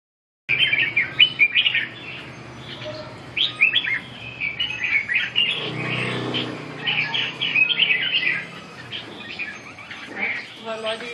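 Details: Red-whiskered bulbul (chào mào) singing a lively stream of bright, chirpy warbled phrases in quick succession, with other similar birds and a low background hum.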